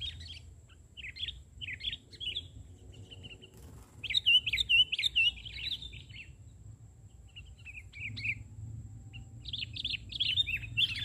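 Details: During an Indonesian bird-trapping outing, a sooty-headed bulbul gives scattered bursts of bubbly, slurred chirps separated by quiet gaps, with a louder cluster near the middle and faint background hum.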